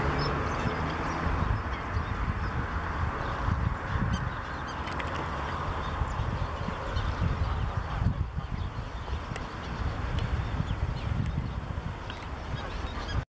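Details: Domestic geese (Anser anser domesticus) at Oroklini Lake, Cyprus, give scattered nasal honks over a steady, heavy rumble of wind and low background noise.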